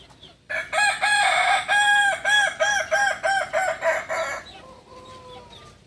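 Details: Kukuak balenggek rooster, a native chicken of Solok, West Sumatra, crowing a long terraced crow of about a dozen clipped, ringing syllables in quick succession, falling slightly and fading at the end, with faint whistles afterward.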